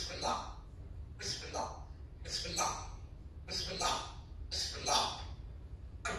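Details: A parrot says "Subhan Allah" in a harsh, raspy voice, six times at roughly one-second intervals, over a low steady hum.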